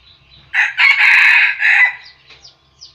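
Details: Red junglefowl decoy rooster crowing, used to provoke and lure wild roosters. A loud, harsh, multi-part crow lasts about one and a half seconds, with a rising opening, a sustained strained middle and a clipped final note. Faint chirps follow.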